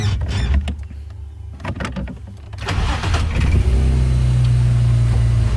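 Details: A car engine sputters, starts and settles into a loud steady idle, with no animal sounds.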